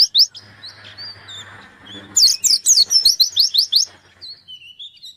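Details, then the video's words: White-eye in full song, seeking a rival to challenge; a few high notes and soft twitter lead into a fast run of sharp, rising chirps about four per second, ending in thin whistles, with faint low hum behind. "Burung pleci gacor nyari lawan"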